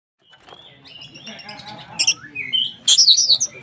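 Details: Oriental magpie-robin (kacer) in full song, used as a lure to agitate other magpie-robins; quiet low murmur builds into bright whistled phrases and loud harsh, buzzy bursts near the end.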